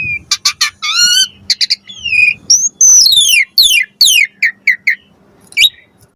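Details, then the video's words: Asian pied starling lure song with varied fill, to get starlings replying: chirps and buzzy notes, a long falling whistled sweep, then descending slurs and short hooked chips trailing off. "Suara Jalak Suren Pancingan"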